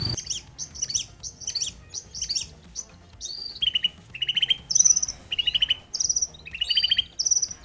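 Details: Long-tailed shrike in lively song, intended to make a silent shrike respond: rasping chatter gives way to clear, level whistled notes alternating between lower and higher pitches, repeated several times.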